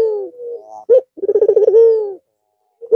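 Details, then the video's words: White red-eyed Barbary dove cooing again after a long Eid al-Fitr holiday rest: a sharp short note, then a low rolling pulsed coo that ends in a long smooth drawn-out tone, with another clipped note at the end. "Puter Putih Mata Merah Manggung Lagi Setelah istirahat sekian Lama"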